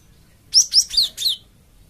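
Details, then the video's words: Gelatik batu (cinereous tit) lure phrase used to provoke answering birds: a single quick run of four high, clear whistled notes, each slightly lower than the one before. "BURUNG GELATIK OMBYOKAN PUN LANGSUNG NYAUT DENGAR INI PANCINGAN BURUNG GELATIK BAHAN"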